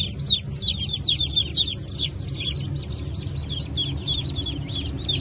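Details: A fresh hatch of domestic chicks, mixed Brahma, Phoenix, Sultan and Appenzeller, dated 9 May 2024, calls in a dense chorus of shrill, arched peeps repeated several times a second above a constant low droning background.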